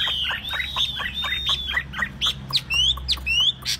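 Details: Tame Chinese hwamei, kept caged and said to sing wherever it is placed, pouring out rapid high whistled notes, many sharply descending slurs repeated nearly twice a second, ending in buzzier rising strokes.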